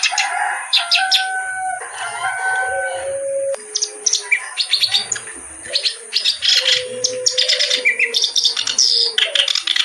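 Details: Kerak basi reed warbler giving a rapid, grating chatter of scratchy notes, while separate pure, level whistles and soft low cooing sound beneath it and a constant high tone hums throughout.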